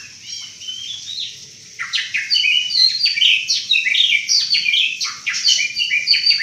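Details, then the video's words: White-rumped shama of the Banten type delivering a rapid 'nembak' burst of strange sounds: after a quiet start, dense, varied whistled and chattering phrases tumble quickly at high pitch, with sharp downward sweeps and bright trills in quick succession. "MURAI BANTEN GILA NEMBAK NEMBAK SUARA ANEH"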